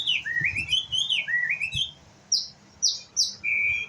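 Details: White-rumped shama, a young bird learning its song: a chain of rising, wavering whistled phrases, then a pause and three sharp, loud downslurred notes followed by one long, steady whistle.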